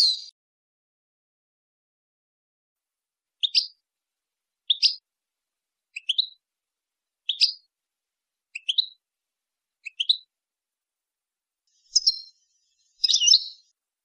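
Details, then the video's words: European goldfinch teaching song for young goldfinches and hybrids, here sparse: single short high chirps spaced about a second or more apart, ending with two fuller twittery notes, in complete quiet. "لغة الحسون لتعليم وتلقين فراخ الحسون والهجين"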